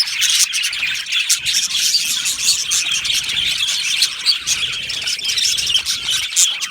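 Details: Flock of aviary budgerigars chirping and squawking together in a dense, unbroken high-pitched chatter with frequent short sharp peaks.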